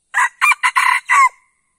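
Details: One brisk red junglefowl crow of five rough syllables in about one and a half seconds, ending on a held, downward-sliding note. The recording is meant as a lure to prompt wild birds to answer, and nothing else is heard.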